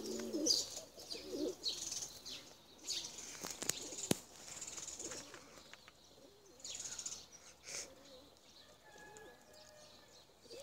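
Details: Tumbler pigeons, domestic birds flown for tumbling, give low rolling coos in short bursts, mixed with sharp clicks and wing claps and a hiss of higher background noise.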